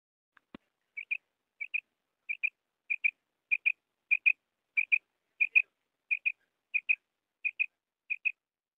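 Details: Common quail giving evenly spaced quick double notes, repeated about every 0.6 seconds, after a brief knock at the start.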